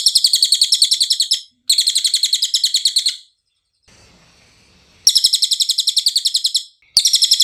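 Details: Cililin song recorded as training audio for songbirds: two quick high trills of rapid repeated notes, a longer quiet stretch with faint background hiss, then two more pulsed trills.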